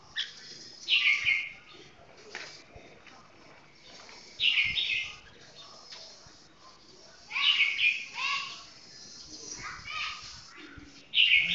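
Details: Red-whiskered bulbul singing its 'golden voice' song slowly and clearly: short, bright warbled phrases every few seconds over a faint background of low rustling.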